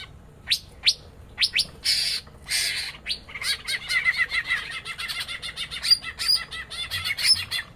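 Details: Female greater green leafbird in a small aviary, eating papaya and calling back and forth with a male: sharp chirps open into a rapid, dense run of buzzy, high twittering notes with squeaky accents.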